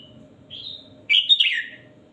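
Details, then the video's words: Caged red-whiskered bulbul giving a thin whistled slur followed by a loud, rich, tumbling warbled phrase lasting about half a second, over a steady low hum. "#นกกรงหัวจุกนับดอก #นกกรงหัวจุกเสียงครู"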